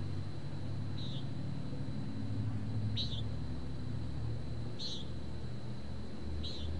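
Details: Common nighthawk recorded in town with a parabolic microphone, apparently on 9 May 2013, gives four short, nasal, buzzy peent notes, one about every two seconds, over a steady low rumble of town traffic.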